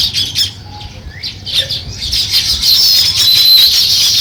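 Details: High, bright chirps from a sparrow starting nest building, first broken and uneven, then merging into steady shrill twittering.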